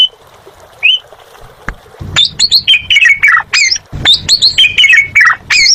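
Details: Asian pied starling singing actively (gacor): a quiet whistle, then a rapid run of sharp rising and falling whistled notes mixed with harsh chattering, in bursts of about three notes per second, with some low background rumble.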